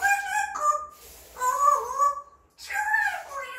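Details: Pet parrot indoors, said to pick up words every day that nobody taught it. Three loud, drawn-out voice-like phrases with rich harmonics and gliding pitch, separated by brief pauses.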